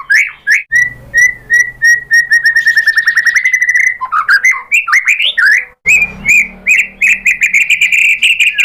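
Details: White-rumped shama singing loudly as a lure for other birds to answer: a run of level whistles speeding into a rapid trill, then varied slurred phrases and bright repeated notes after a short silence.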